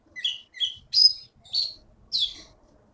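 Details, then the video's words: Contest-winning Blue-winged Leafbird from the Bangka forest, kept caged, giving five quick, high, sweet chirps and downslurred whistles spaced roughly half a second apart. "KEETY BURUNG JAWARA FULL GACOR"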